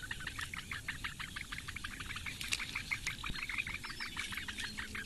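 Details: Great bittern nestlings, four chicks at a reedbed nest on Lake Engure in Latvia, fed by their mother at breakfast time in mid-May; quick, busy chittering pulses about three per second, with faint low hums beneath.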